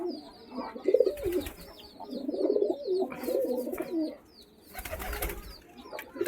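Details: Several caged pigeons in a loft utter rolling, guttural coos in long bouts, one near the start and a longer one mid-way, over a steady background of thin, high chirping from small birds.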